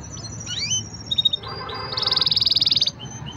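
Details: Green canary singing: high whistled notes and short slurred phrases, then a fast trill of about fourteen evenly repeated notes lasting roughly a second, over a faint low background hum.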